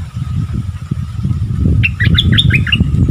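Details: {'text': 'Striated bulbul, wild, among birds arguing fiercely in February 2021; a quick burst of chirpy, bouncing whistled notes comes in the last second over a steady low rumble of background noise.'}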